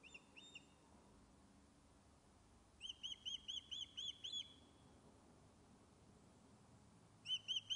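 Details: Osprey back on its nest at Loch of Lowes, Scotland, fish-calling, captured by a wildlife webcam: a brief opening burst, silence, then a run of about seven high, arched whistled chirps, with three more at the end.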